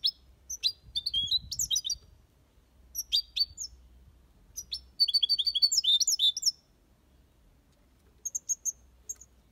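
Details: Aviary European goldfinch singing the Malaga copy song: short clusters of high, sharp chirps and twittering notes, a longer rapid trilled run near the middle, then a few faint notes, with quiet gaps between phrases.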